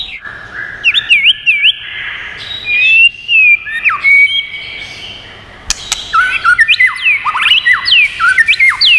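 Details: White-rumped shama song for training and stimulating birds: rich whistled phrases with sharp upward and downward slurs, a held whistle midway, one loud click, then a dense, fast, varied ending.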